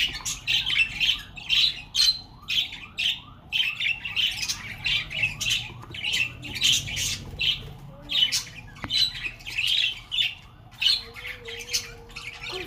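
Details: Many budgerigars in a budgie reserve, kept as ornamental birds, 2021, keep up continuous chattering warble: rapid rising squeaks and buzzy chirps in repeated pulses, with a faint low whine near the end.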